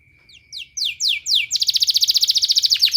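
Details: Canary therapy song for training canaries: a few separate whistled up-sweeping notes that speed up, then a fast, even, buzzy trill of many repeated notes; a constant thin high tone behind.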